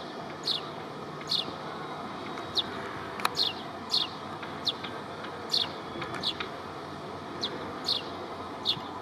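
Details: An Iago sparrow, a species endemic to the Cape Verde archipelago, gives short, sharp, bright and high chirps about once a second over a steady low background rumble.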